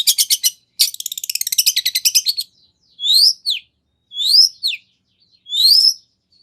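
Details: Long-tailed shrike song packed with 'isian' filler phrases, used as a lure so another shrike answers: a fast buzzy stutter of notes, a rapid rattling trill, then three separate rising whistled slurs about a second apart.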